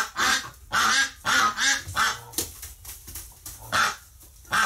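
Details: Flock ducks upset after a companion's death in the hospital, November 30, 2018: rough, hoarse quacks in uneven clusters, some doubled, with short quiet pauses between bursts.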